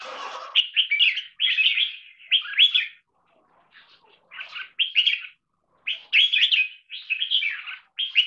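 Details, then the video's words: Red-whiskered bulbul, a trained caged singer in double-note marathon style. Clear, lively warbled notes come in quick runs, pause for about a second, then resume with repeated bright phrases. "ULTIMATE 6 Double Note Marathon Singing Style Jambul"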